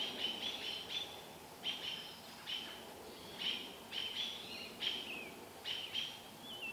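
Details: Robins near Vancouver scolding a barred owl as its young watches: urgent, sharp high chips in tight clusters, some ending in a quick downward slur, recurring roughly every second against faint background hiss.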